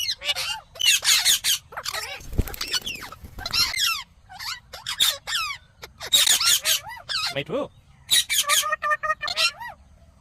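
An Indian ringneck parakeet talks in quick, high, nasal bursts of mimicked speech, with short squawky phrases repeated through the clip and brief pauses between them.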